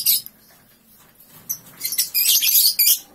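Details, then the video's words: Three-month-old lovebird singing ngekek right after waking: a quiet opening chirp, then from two seconds a dense, high, scratchy chattering burst lasting nearly a second, with short sharp chirps around it. "Paud 3 bln Bangun tidur langsung ngekek"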